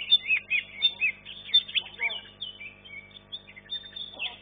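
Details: Green leafbird competing in a caged songbird contest and finishing third: loud sweeping whistles and chirps, then a long flat whistled note, with human voices murmuring low underneath.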